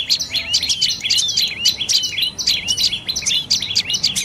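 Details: Dark-necked tailorbird of northern Thailand forest edges giving bright, sharp 'wee-id' notes in quick succession, each with a falling tail, about three per second, steady loudness and little other sound.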